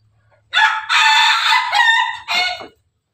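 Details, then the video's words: Ayam Ketawa laughing rooster crowing while busy eating: one loud, melodious, harmonic crow of about two seconds, long and level, then a short broken final note. "merdunya siara ayam jago ketawa lagi asyik makan"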